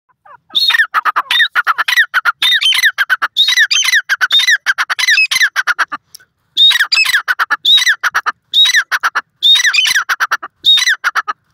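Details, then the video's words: Grey francolin, known locally as dakhni teetar, giving loud, harsh, ringing calls in rapid rhythmic series, grouped into repeated bursts about a second apart, with a brief pause midway, outdoors in a rural setting. "dakhni teetar ke awaz,teetar awaaz,grey francolin teetar sound,teetar ki boli"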